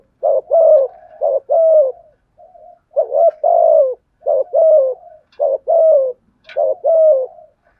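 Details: Spotted dove kept as a decoy to stir rival doves, giving steady, mellow coo phrases: quick paired notes followed by a drawn-out falling coo, repeated about once a second in a quiet setting.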